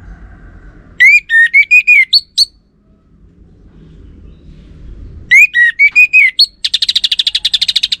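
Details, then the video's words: Orange-headed thrush song used as a lure to make a male answer. Two bursts of rich, slurred whistled notes, the second ending in a fast buzzy trill of about fourteen notes. Quiet pauses in between. "Ga Bunyi Dengan Pancingan Burung ANIS MERAH Ini dipastikan Itu Burung Betina, Jantan Pasti Nyaut"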